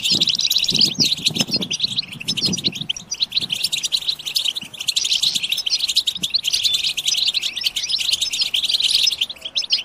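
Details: Collective goldfinch chatter (batbata) for stimulating goldfinch song: a thick wash of bright, fast twittering from several birds, with some dull low knocks in the first few seconds.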